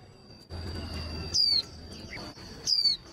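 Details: Female white-eye song played to excite male birds before singing contests: two sharp, high descending whistles about 1.3 seconds apart, with a steady high ringing tone and low rumbling noise underneath.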